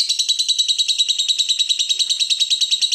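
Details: Fighter lovebird's ngekek chatter, used as a lure for other lovebirds, heard as three seconds of unbroken, shrill, rapidly pulsing trill at an even pace.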